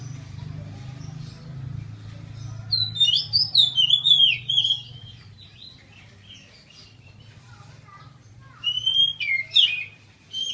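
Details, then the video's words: Oriental magpie-robin kept in captivity and cured of cataracts in both eyes, now singing openly again: a burst of rapid, varied whistled and twittering phrases, a quiet gap, then another ringing rising phrase, all over a low mechanical hum. "Kacer ngeplong"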